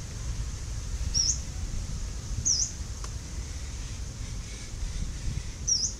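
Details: Yellow-browed warbler recorded 10 November 2018, three thin, squeaky high calls with a quick rising flick, spaced irregularly over six seconds, against low rumbling background noise and a faint click.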